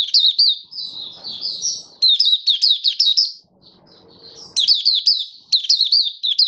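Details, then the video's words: Malaysian Mata Puteh, a caged Oriental white-eye being brought into form, singing the 'buka sing' style in August 2023: long runs of high, sweet, quickly slurred chirps, broken by one brief gap, over quiet background. "Malaysian Mata Puteh - Buka Sing"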